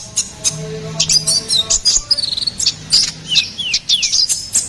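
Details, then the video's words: Ruby-cheeked sunbird singing for songbird tutoring and luring: scattered high chirps, then a series of quick downward-sweeping whistled notes, over a faint low steady hum. "SUARA GACORAN KONIN KOLIBRI NINJA"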